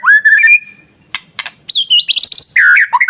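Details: White-rumped shama masteran song to provoke rival shamas into singing: a rising whistle, sharp clicks, then rapid high harsh trills and descending scratchy notes.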